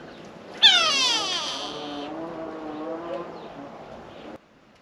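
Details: Grey go-away-bird, also called grey lourie, a bold bird of southern African open woodland and thorn savanna: one loud, harsh, drawn-out nasal cry that starts abruptly and slowly falls in pitch over about three and a half seconds.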